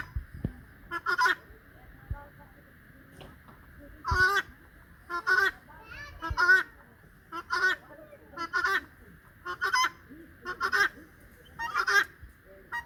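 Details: A domestic turkey hen and cock, relaxing, give harsh, nasal honking calls in short bursts, roughly one a second, over a steady background hum.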